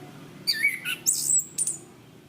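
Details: Orange-banded thrush (Zoothera interpres), a popular cage songbird, in a tutor recording for training other birds: a short burst of whistled notes sliding near the upper-middle range, then sharp high-pitched squeaky notes, over faint low hum.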